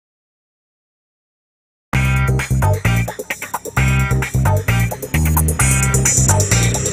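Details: Two seconds of silence, then loud funky music with plucked guitar, bass and drum-machine beats.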